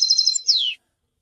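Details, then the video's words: European goldfinch giving a brief bright trill of rapid high notes that ends in one downward-slurring note, lasting under a second against silence. "super goldfinch singing"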